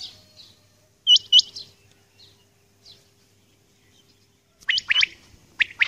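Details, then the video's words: Early-morning calling of a female common quail: one crisp doubled upslurred note, a quiet pause, then rough, buzzy chirps. "Batair Ki Awaz | Aj Suba ki Recording | Common Quail Calling | Female Quail Calling | Maadi Batair"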